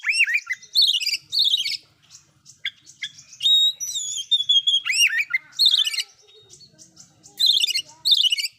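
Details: Loud oriental magpie-robin song with fill-in phrases, aimed at provoking other magpie-robins: repeated bright warbled bursts alternating with a sustained level whistle, hooked downslurs and crisp chips, the phrases coming in quick succession.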